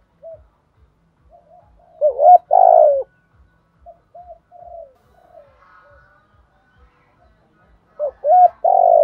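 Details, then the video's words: Spotted doves cooing to rouse decoy birds and call the flock: soft scattered coos, then two loud phrases of hollow coos, each ending in a burry rolling note. "cu gay gù bài bản, tiếng chim cu gáy kích bổi nhanh nổi giọng hạp bổi/cu cườm gáy gọi bầy"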